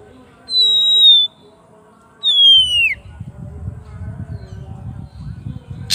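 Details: Oriental magpie-robin calling its rival in ngeplong style: two drawn-out whistles, the second sliding down in pitch, then a stretch of low rumbling noise and a short sharp note at the end.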